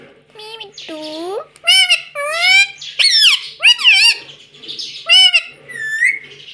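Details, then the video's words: Pet ring-necked parrot indoors mimicking speech, said to talk "mummy": a run of loud, harmonic, nasal syllables that bend up and down, bunched in quick bursts with short pauses between them. "Bolne wala tota || talking parrot || mummy bolne wala tota"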